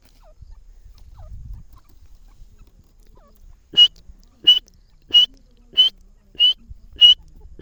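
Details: Partridge calling after a quiet start with faint low rumbles: from midway, sharp short clear notes repeat about every two thirds of a second, six or seven in a steady series.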